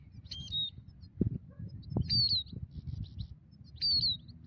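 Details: Migratory European goldfinch caught with a ground net, giving high, thin, downslurred tweets in short bursts every second or two over a busy low rumble of handling noise.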